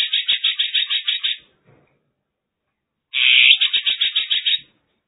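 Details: Song of a Mongolian lark recorded in China: grating, rhythmic bursts of rapid pulsed notes, a chattering phrase ending, a short silence, then a louder burred note rolling into another fast pulsed series.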